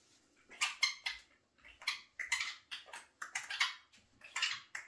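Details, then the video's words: Eurasian jay kept indoors in a house, said to talk like a person: a series of loud, harsh, raspy bursts, each about half a second long, coming in quick irregular succession with short gaps, in a quiet room. "Când gaiță se comporta ca un om în casă- vorbește și merge pe jos"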